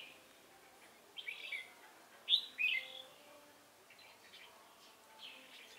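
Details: Trapping a wild red-whiskered bulbul from Hòa Bình with a decoy, 18 November 2017. Short, sharp chattering notes and a brief warbled burst are separated by quiet gaps. A man speaks just afterwards.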